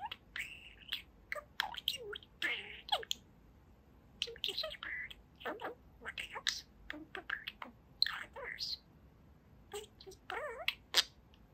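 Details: Two-year-old male pet budgie chattering and talking indoors: a long run of quick, scratchy, speech-like syllables and squeaky whistled notes in irregular bursts separated by short pauses.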